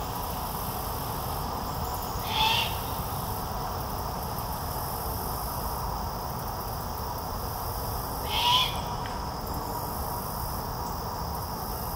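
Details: Young, full-grown great horned owl at Fenner Nature Center, Lansing, Michigan, in 2021, still calling for its parents to feed it: two harsh, hissing screeches about six seconds apart over steady low background rumble.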